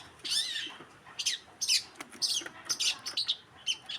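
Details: Long-tailed shrike, called cendet, in masteran style: high, shrill chirps and squeaky slurred notes in short separate bursts, several sharp notes in quick succession near the end.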